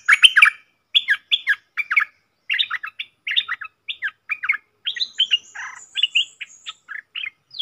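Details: Bold wild red-whiskered bulbul facing a caged decoy bird, 5-6-64: a long run of rapid chirpy phrases, a dozen or more short slurred notes in quick groups, with a fainter high thin call near the end.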